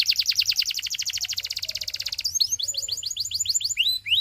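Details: Belgian canary song: a rapid, rhythmic trill of repeated notes for about two seconds, then switching to a slower run of sharp rising chirps repeated several times a second.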